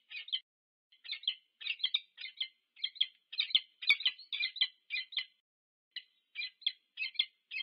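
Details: Wild peregrine falcons, a pair meeting at their nest at UC Berkeley in the USA, recorded 2 November 2022 on a nest camera. They give grating, chattering notes in short clustered bursts almost continuously, with a few gaps.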